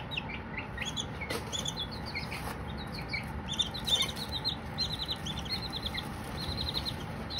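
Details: Baby Silkie chicks, several together, chirping with no talking: high, thin, falling peeps in quick runs of two to four, overlapping from many birds, over a steady low hum and faint flapping.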